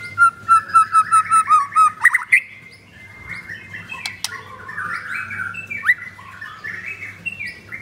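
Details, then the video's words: White-rumped shama kept caged and ringed in Jakarta, Indonesia, singing in 'pastol blorok' style. It opens with about eight evenly spaced chopped whistles, then a couple of sharp clicks and a long, varied warbling phrase, over a low hum. "Murai Batu Pastol Blorok Extreme Double Ring Apbn Bnr Gacor"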